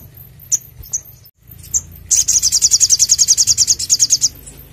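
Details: Spiderhunter with a clear, energetic voice, used as a lure and training song: a few high, thin chips, then a two-second rapid trill of sharp, piercing notes that stops abruptly.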